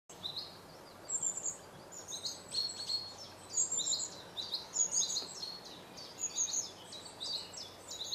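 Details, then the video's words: Long-tailed tit giving thin, very high twittering notes and short trills, repeated in quick bursts throughout, over a soft background hiss. "Long tailed tit singing"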